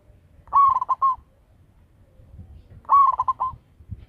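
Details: Zebra dove with a strong local voice, used to attract others, sounds two rolling coos around two and a half seconds apart. Each breaks into several quick, liquid pulses, with faint thumps underneath.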